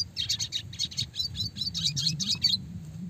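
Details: Red siskin song used as a training recording for fighter songbirds, described as classic, clear, fast and dense: a steady string of high, bright chirped notes, roughly five per second, over a low hum.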